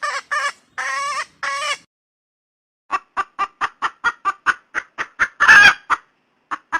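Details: A mate-seeking female red junglefowl gives a few long, nasal, harmonic calls. After a short gap comes a quick series of sharp clucks broken by one harsh squawk.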